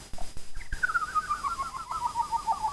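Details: A female pet double yellow-headed amazon (Amazona oratrix), which whistles a fight song, gives a long, wavering, hoot-like note that slides slowly downward after a few clicks.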